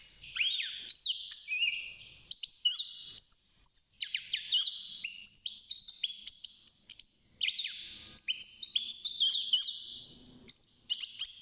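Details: European goldfinch, young and caged, beginning to sing at six months: a long, continuous stream of high, rapid twittering, trilled and buzzy notes with frequent upslurs, barely pausing.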